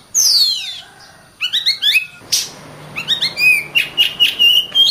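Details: Song of an Oriental magpie-robin used to train other birds: an opening long descending whistle, a gap, then varied quick chirps and sliding whistled notes growing into a rapid sequence.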